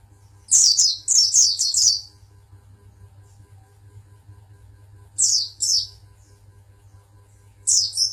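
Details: Oriental white-eye, a Pangandaran champion, delivers a quick cluster of five high, down-slurred chirps, then quieter pairs after long pauses, with a low background hum throughout.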